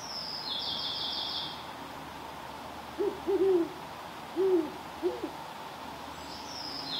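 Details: A great horned owl met on an evening walk gives a deep, soft hooting series of about five notes, the first few close together, then single hoots; a thin high buzz briefly brackets it.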